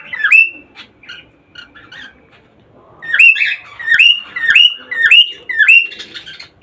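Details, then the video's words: Rising whistled calls of a cockatiel, meant to stimulate breeding. One clear upslurred whistle, soft scattered chirps, then a steady series of five sharp upward-sweeping whistles about two per second. "مقطع لتحفيز طيور الكوكتيل على التزاوج"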